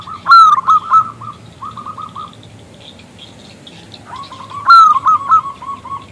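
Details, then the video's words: Singing local zebra dove used to coax a male into song: two loud whistled phrases, each trailing into bouncy runs of quick coos, separated by a short quiet gap. "PERKUTUT lokal Gacor Suara BESAR Kristal Memanggil JANTAN ngajak BUNYI"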